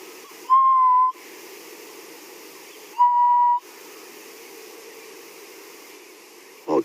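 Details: At sunrise on 13 October, on a safari drive beside wildebeest giving snorting alarm calls, a distant Grey-headed Bushshrike gives two long, mournful, level whistles, each about half a second and some two and a half seconds apart, over a low engine hum.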